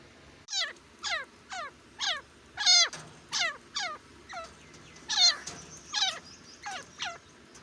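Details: Grey francolin (desi teetar) calling: a loud series of shrill, harmonic notes that sweep downward. They repeat roughly every half second to second in uneven bursts over a quiet background.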